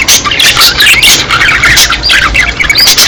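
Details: A group of budgerigars in breeding season, bright rapid warbling and squawking, many voices overlapping in a constant high, lively chatter.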